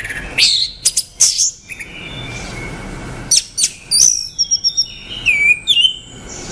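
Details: Orange-headed thrush singing: bursts of high, sharp chirps and thin whistled notes, then a pause and a second run of quick varied phrases with clean slurred whistles at the end.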